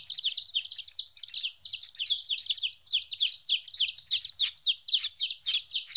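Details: Chicks two weeks old, apart from their mother for the first time, keep up a continuous flock of shrill, falling peeps, overlapping and rapid, with faint low rumbling underneath.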